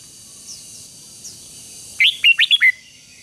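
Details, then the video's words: A red-whiskered bulbul sings one brisk phrase of five clear whistled notes, falling at the end, after faint distant chirps; played to train a wild-caught bird to sing. "luyện cho chào mào bổi hót"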